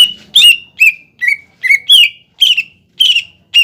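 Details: ['Greater green leafbird (cucak ijo) giving a lure song to provoke young birds into singing. Bright whistled notes are spaced about half a second apart, some rising and some falling, each opening with a sharp click.']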